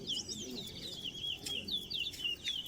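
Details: Chestnut-bellied seed finch (towa towa) in a singing race in Linden, Guyana, giving a fast, continuous run of sweet warbled whistles sliding up and down in pitch, while murmuring voices count its songs nearby.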